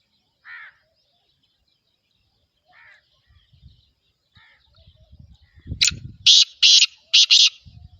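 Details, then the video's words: Kala teetar, the black francolin, gives soft rasping notes spaced apart, then low rustling noise before a loud series of four grating, buzzy notes in quick pairs. "Black Franclion Voice kabotra Kala Teetar Kala Teetar Kabotra Nasal"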